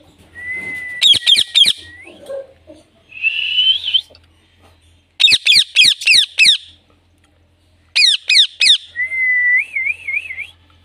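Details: Pet Indian ringneck parrot alternating sustained whistles, one ending in a wavering trill, with repeated series of four or five harsh squawks and a buzzy warbled phrase.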